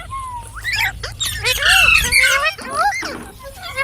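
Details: Rose-ringed parakeet, known as green parrot, chirping: a few clean falling whistles, then a louder, harsh, buzzy cluster in the middle and softer curving notes at the end.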